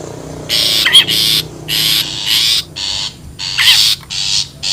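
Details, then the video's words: Long-tailed shrike recorded in the wild for luring birds. Repeated grating, hissy rasps, each under a second, with two brief, twisting nasal notes between them. Quiet hum beneath. "SUARA ASLI PIKAT CENDET,PENTET ALAM LIAR"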